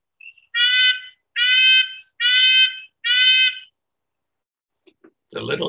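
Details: A Red-breasted Nuthatch (Sitta canadensis) in the Gulf Islands, a 'trumpet bird' of the woods heard in winter, spring and summer, gives four nasal, tinny, horn-like call notes, one about every second, then a man begins speaking.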